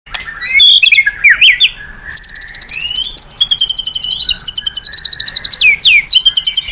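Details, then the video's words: White-rumped shama singing, a training recording meant to provoke other birds to sing: quick upslurred whistles give way to a long, rapid, buzzy high trill that falls and rises in steps, ending in sharp upward sweeps. "Masteran MURAI BATU super gacor dan istimewa..cocok tuk pancingan burung lain."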